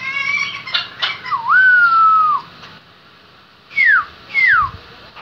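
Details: Kept Black-throated laughingthrush from Lai Châu, Vietnam, singing indoors: harsh scratchy notes lead into a long steady whistle, then two loud sweeping whistles that slide down sharply, with short silences between.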